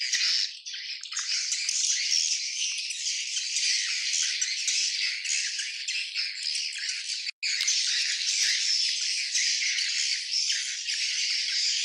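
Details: Swiftlet colony in full chorus, a continuous high, rattling twitter of many overlapping birds, briefly cut off by a short silent gap partway through before resuming just as loud.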